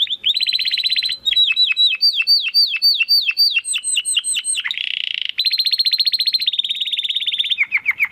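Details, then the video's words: Canary 'crystal voice' song for training competition birds: a continuous chain of trills and looping slurred whistles, a harsh buzzy section midway, then smooth rapid trills and descending notes. "Kenari Gacor Suara Kristal Buat Masteran Burung Gantangan"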